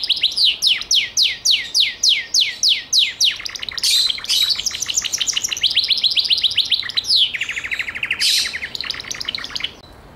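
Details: Gloster canary opening with about a dozen slow, loud descending whistled sweeps, then breaking into quick trills and a dense rapid roll before falling quiet.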